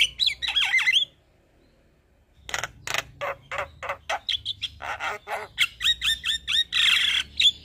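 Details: Chattering Javan myna song packed with varied phrases: a quick tumble of whistles, a pause of over a second, then dense harsh buzzy notes and sharp clicks, with short whistles at a fast pace.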